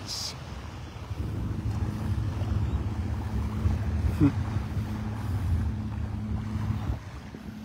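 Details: Low wind and engine drone with a brief knock, heard during a Sunday morning beach walk at Delnor-Wiggins in North Naples, Florida.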